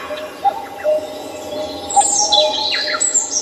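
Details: Morning bird chorus in Seoul's Samcheong Park: short sharp chirps and high trilled fragments, irregularly spaced, over a faint steady hum.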